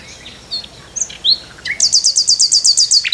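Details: Nightingale singing in the morning from a tree: a few scattered slurred whistles, then a fast, even run of about a dozen high, sharp notes, ending in a lower descending phrase.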